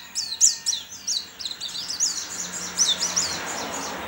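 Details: White-eye in an online singing competition, from Sambas, West Kalimantan: fast repeated high chips and sweeps, about three per second, over a faint low hum and background murmur.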